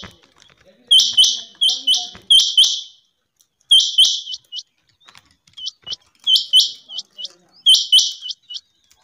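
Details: A rain quail gives clipped, piercing double notes in clusters, with softer faint ticks between the louder bursts.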